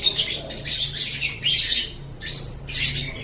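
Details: Lovebird chattering song used to train other birds: rough, squeaky, high bursts in about five quick phrases separated by short silences.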